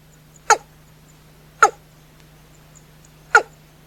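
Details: Nocturnal watercock call: three sharp, rasping downslurred notes at irregular one-to-two-second gaps, with a continuous low hum in the background.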